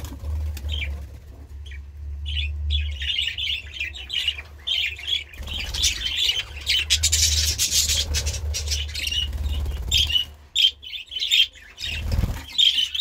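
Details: Budgerigars keep up a long run of scratchy squawks and fast twittering, broken by brief pauses, over a low droning background.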